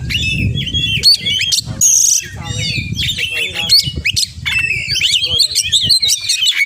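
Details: 'Full isian' song from a kacer (oriental magpie-robin): varied whistled phrases, scratchy chatters, a harsh buzz and quick repeated upslurs tumbling one after another, with steady low background noise.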